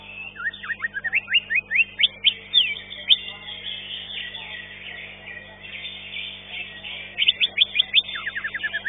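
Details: Fifth-place green leafbird in a singing competition pours out quick strings of bright, slurred whistles, one phrase at the start and another near the end, separated by a quieter stretch of arena background hiss.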